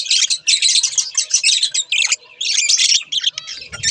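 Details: Two budgerigars kept as pets give loud rapid chirping and raspy warbles in bursts of about half a second, ending with a faint low thump.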